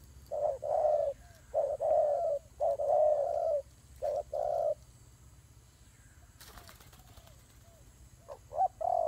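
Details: Low hoarse dove coos during fighting: several grouped long notes with short lead-ins, then a pause broken by a burst of rustling noise, then two more short coos.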